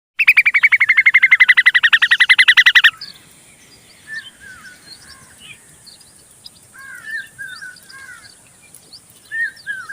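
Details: Indian common babbler fanning its chicks with its feathers. A loud, rapid, harsh pulsed series lasts about three seconds, then gives way to softer, scattered chirps and short rising notes.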